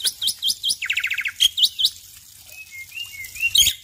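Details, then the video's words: ['Male Black-winged myna singing actively in the morning: quick upswept chirps, then a fast buzzy trill of about eight notes, more sharp whistles, and thin drawn-out whistles before a final burst.'] "Jalak Putih Jantan Gacor Pagi Hari"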